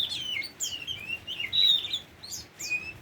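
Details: Brief phrase from a tame Oriental magpie-robin: sliding whistled notes, a bright held whistle midway and a clear falling note at the close.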